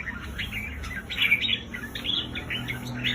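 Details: Red-whiskered bulbul, played to rouse caged bulbuls at home: quieter, warbling phrases of short chirps over a low background hum.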